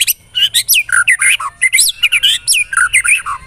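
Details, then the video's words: Loud, dense song of a White-rumped shama used as pancingan, a lure to excite other shamas: tumbling mix of whistled slurs, rising and falling notes and harsh squawky phrases, almost without pause. "LANGSUNG CEPAT NYAMBER TAK TAHAN DIAM MURAI MENDENGAR PANCINGAN INI"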